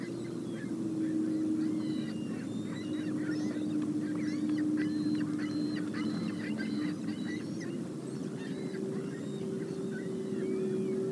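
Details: A few sandhill cranes enjoying the sunset on the Upper Mississippi River flyway near Onalaska, 20 September 2018, live camera: continuous overlapping rattling, honking calls, several per second, with a steady low tonal hum underneath.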